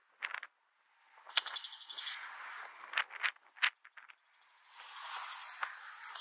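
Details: In Korea in November 2023, a Bull-headed shrike gives loud, scratchy, rasping notes, singly and in quick pairs, with a high buzzing rattle and background hiss between them.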